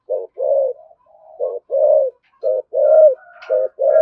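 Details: Spotted dove with 'thổ sấm' voice doing 'thúc gù' rapid cooing: short low coos alternate with longer swelling notes, with soft thin whistling tones heard in the gaps.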